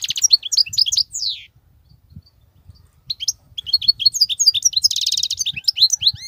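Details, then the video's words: Wild European goldfinch singing unbroken batbatat song: quick twittering notes ending in a descending trill, a silent gap of about a second and a half, then lively tinkling twitters and a dense buzzy trill. "صوت الحسون البرى:مقنين خلوى ممتاز..بتبتات.. غناء لاينقطع"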